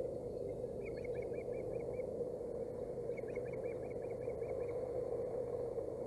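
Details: Osprey nest in Boulder County, 16 April 2018, fish arriving for the hungry female; two runs of about seven rapid whistled chirps each, separated by a pause, against a constant electrical hum.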